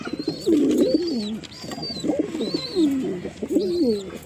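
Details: Pigeon cooing indoors, low throaty warbling coos rising and falling in repeated bursts, with thin high whistled notes recurring above them roughly every second.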